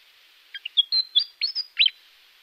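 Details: Willie wagtail calling with a short burst of sharp, bright chirps and squeaky notes, about seven quick syllables within a second and a half, with a quiet background.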